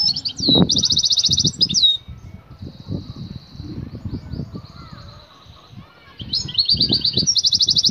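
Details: Female European goldfinch in excited state, calling to a male for mating. Repeated high, buzzy, rattling trills with short twitters between them, against a background of low rustling and knocking.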